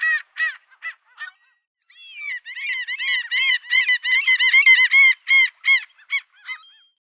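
A gull's loud, strident cries: a few short harsh notes, then a rapid run of ringing yelps at about two to three per second.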